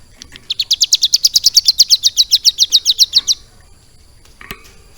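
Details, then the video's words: Caged ciblek gunung (prinia) with mimicked lovebird song: a loud, rapid trill of high, sharp chirps lasting nearly three seconds, then quiet with a faint click. "CIBLEK GUNUNG GACOR ISIAN LOVE BIRD"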